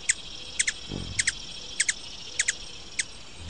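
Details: Ruby-throated hummingbird, Archilochus colubris, giving sharp, high ticking chips, mostly in quick doubled pairs, about eleven notes spaced roughly half a second apart over a quiet background.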